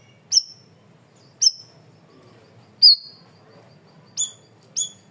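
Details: Cream-vented bulbul in a loud, clear masteran training recording: five sharp, high, downslurred chips, each a bright whistled note with a short trailing tail, spaced about a second apart over a low background hum.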